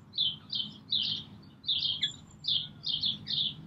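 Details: Brambling calling and singing at Green Moor on 24 March 2019: a run of about eight short, bright chirped notes at a high pitch, some doubled, spaced roughly every half second over a low background rumble.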